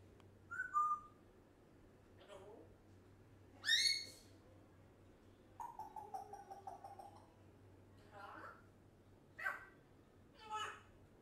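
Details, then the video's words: Indoor African grey parrot, age one, running through varied quiet sounds: a short whistle, soft squeaks, a harmonic squawk, a chattering run of notes and scattered chirps with pauses between. "African Grey Parrot talks non stop"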